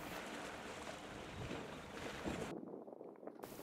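Steady wind and rushing water noise on open marshland, with a sudden quieter gap in the second half and no animal calls.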